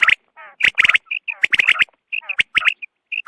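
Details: Quail heard at dawn in a recording meant for hunting: quick clusters of sharp, high repeated notes and clicks, with brief lower buzzy trills between bursts.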